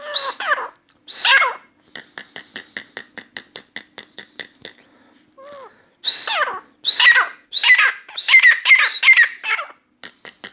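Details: Grey francolin (Dakhni teetar), newly kept indoors, in continuous song: two harsh ringing phrases, a long series of quiet rhythmic ticking clicks, soft whistled notes, then a rapid string of loud grating, rising phrases.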